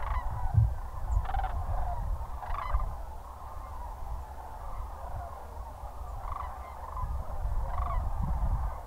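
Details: Distant sandhill cranes give rolling, trumpeting calls in short bursts every second or so over a steady low wind rumble as they prepare to bed down at moonrise on a January evening, Goose Pond Fish & Wildlife Area, Linton, Indiana.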